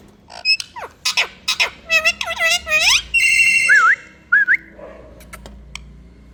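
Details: Rose-ringed parakeet (Indian tota) giving a fast series of rising, ringing squawks, then a harsh buzzy screech and two short wavy whistles. Quieter chatter follows before it falls silent.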